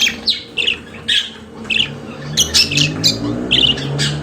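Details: Kept budgerigars chirping in short scratchy bursts, faster toward the end, with a low rumbling hum in the background.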